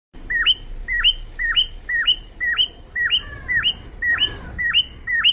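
A cockatiel gives loud, rising-then-falling whistled chirps, repeated about twice a second.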